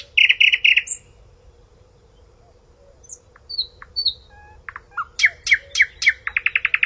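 Nightingale song in varied phrases: a buzzy repeated burst, a few clear whistled notes, then fast rattling runs of sharp repeated notes, with a faint steady hum underneath.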